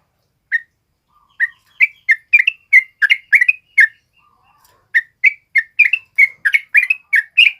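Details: Short phrases from a male sooty-headed bulbul used for tutoring other birds: a single note, then a quickening series of bright slurred chirps, a short pause, and another rapid run of chirps.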